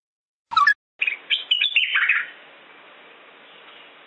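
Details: Button quail calling: one brief sharp note, then after a short pause a quick run of high chirping and whistled notes lasting about a second, trailing off into a steady hiss.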